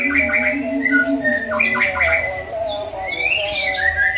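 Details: Forest-caught young white-rumped shama singing: clear sustained whistles alternating with quick chattering notes, then a rising, sweeping phrase climbing higher, set against a continuous low droning background tone.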